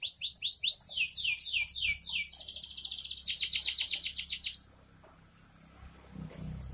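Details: Canary singing steadily: rapid series of high downslurred notes, then a fast buzzy trill, then a sudden quiet stretch with faint background noise.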